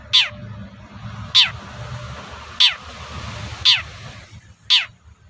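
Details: Long-tailed shrike calling to provoke rival shrikes into replying: five harsh, steeply descending rasping notes spaced roughly a second apart over a steady hiss of background noise.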